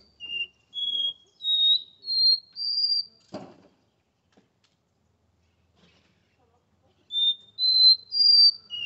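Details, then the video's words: Caged Capped Seedeater of the Porta-voz song style, recorded at 7:40 in the morning on 8 August in São Paulo: clear whistled notes stepping upward in pitch, five in a phrase, a click mid-clip, then the rising series starts again. "Caboclinho Porta-voz,esse canta lindo de verdade"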